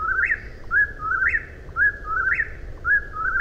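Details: Whip-poor-will song: clear whistled phrases ending in an abrupt upward flick, given roughly every second in a steady chant over faint low rumble.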